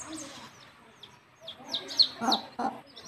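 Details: Chicks following a mother hen back to the nest to roost; a run of high, downward-slurred peeps repeated about three per second, with a couple of low clucks from the hen near the end.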